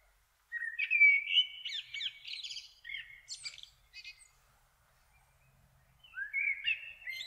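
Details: Common kestrel father preparing food for the family, June 2024: loud, clear bursts of rapid chattering and whining calls, a quiet gap of about two seconds, then another drawn, rising series.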